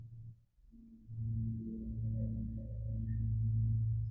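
A ringing singing bowl swells after a brief pause into a sustained low hum with layered overtones that shimmer and hold to the end.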